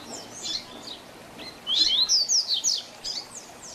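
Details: Double-collared seedeater performing the 'Tui Tui Zel Zel Diferenciado' song used to teach young birds: soft high chirps, then a loud rising whistle followed by a quick string of bright downslurred notes.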